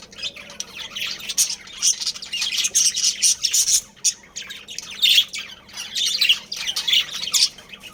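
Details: Several budgerigars calling in a breeding colony: continuous scratchy warbling and squawking comes in dense bursts about every half second, with many birds overlapping.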